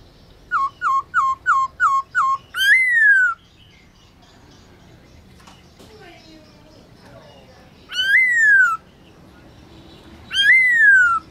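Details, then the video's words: Black-throated laughingthrush, a caged bird in training, singing its forest-style song at midday. Six quick, evenly spaced whistled notes lead into a rich rising-then-falling slur. Two more long slurred whistles follow after pauses, with faint murmuring behind. "Khướu bạc má HÓT BUỔI TRƯA cực hay , Luyện khướu bạc má hót cả ngày, khướu bạc má hót giọng rừng"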